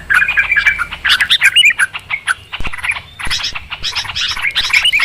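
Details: Yellow-vented bulbul (trucukan) giving noisy, agitated calls, used as a lure for trapping birds: dense bursts of sharp, chattering chirps and squawky notes in rapid clusters, with brief pauses around three seconds in.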